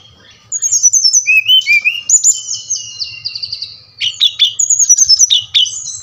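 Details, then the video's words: Brown-chested jungle flycatcher, song used to provoke caged birds into singing, gives long drawn whistles with some falling slurs, then rapid clusters of sharp high chirps in quick succession. "SRDC bali | Sikatan Rimba Dada Coklat | putar ini pasti SRDC anda ngamuk gacor dengan suara ini"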